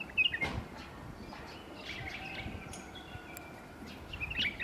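A White-eared Bulbul gives short, bright, liquid notes, once at the start and again near the end, over a steady hiss of outdoor background noise.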